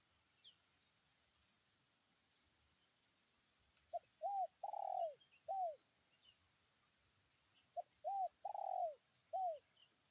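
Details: Spotted dove giving a 'tarik akar' style call to summon a rival: mellow, slightly descending coos in two matching phrases of four notes, the third note longest, about four seconds apart, over a quiet background.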